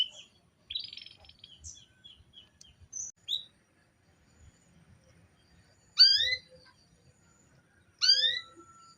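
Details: Female canary calling to prompt a male to sing, giving two loud rising harmonic calls about two seconds apart, preceded by softer chirps and short twittering notes.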